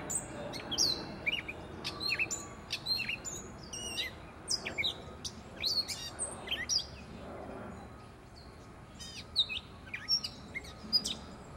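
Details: Gray catbird in a Prospect Park tree in Brooklyn delivering a long, rambling song of varied chirps, squeaks, slurred whistles and harsh notes in rapid bursts, with a short quieter gap near the end and faint city background.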